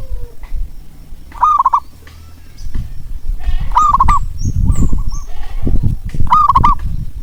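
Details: A zebra dove repeats rolling, trilled coo phrases meant to lure quiet doves into calling, three loud phrases with softer ones between, over a heavy low rumble and faint high chirps.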